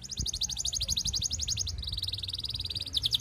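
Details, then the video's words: Canary rolling song to court a female, used to prompt other canaries to sing: an unbroken rapid trill of high buzzy pulses for the whole stretch, shifting pitch slightly midway, over faint low rumble. "Kenari Gacor Panjang MERAYU BETINA Cocok Buat Pancingan Semua Jenis Kenari Biar Ikut GACOR NGEROLL"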